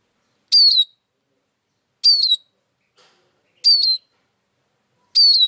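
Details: High, thin siskin call, a descending whistle ending in a slight buzz, given four times at intervals of about one and a half seconds, with nothing else audible.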